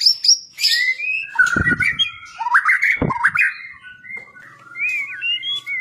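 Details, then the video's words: Kept white-rumped shama singing in an energetic, insistent fighting style. Varied whistled phrases rise and fall, broken by loud harsh bursts and a few rattling clicks. "Murai Batu, gaya tarung suara pedes ngotot dan enerjik"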